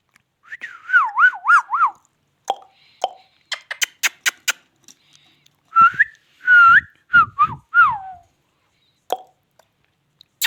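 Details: Talking Indian ringneck parakeet gives a wavering, looping whistled trill, then scattered clicks and taps, then a run of whistled phrases that rise and fall before dropping away in a long descending note.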